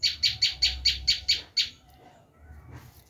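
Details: Bar-winged prinia screaming call for attracting wild prinias: eight loud, grating notes at an even rapid pace, then quiet with faint background sound.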